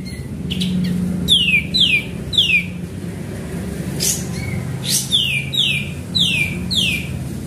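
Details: Lure recording of a singing sooty-headed bulbul: two runs of four quick descending whistles each, split by a few short notes and sharp noisy bursts, with a low hum beneath.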